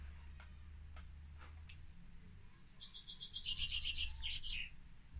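A Common Chaffinch sings a bright, quickening cascade of notes tumbling down in pitch, finished with a short scratchy flourish. A few clicks and a low rumble lie behind it.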